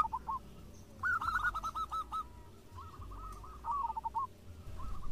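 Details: Local zebra doves singing in reply to each other. Two moderately loud, rippling runs of fast coo notes stand out from a fainter rolling call and background hiss.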